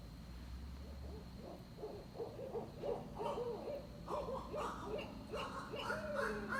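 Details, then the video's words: Barred Owls trade wild, cackling hoots and rising-falling wails in a rapid, monkey-like chorus that grows louder and more frantic toward the end. "Barred Owls making monkey noises"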